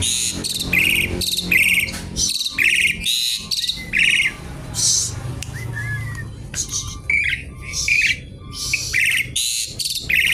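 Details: Javan pied starling singing noisily as if seeking a rival: dense bursts of harsh, buzzy chatter and trills repeated in short blocks, with a few slurred whistles between them.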